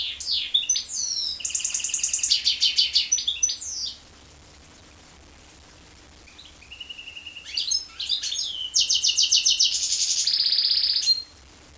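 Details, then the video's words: Goldfinch × canary hybrid singing in two bursts of rapid, bright twittering and trills with buzzy rattles and high whistled notes, split by a quiet pause of about three seconds; faint low hum underneath. "goldfinch x canary"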